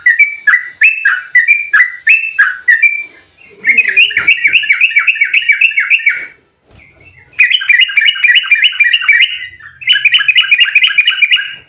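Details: Rapid 'ropel' song of an agitated yellow-vented bulbul, played as a lure to provoke bulbuls to answer: repeated bubbly phrases, then long, steady trills of fast chattering notes with short gaps, very clean background.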